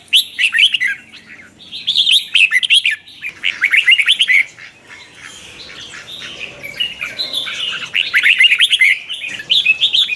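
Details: Red-whiskered bulbul singing a morning training song in twisted voice with lure chatter: two bursts of fast warbled, trilling notes separated by a quieter, softer passage.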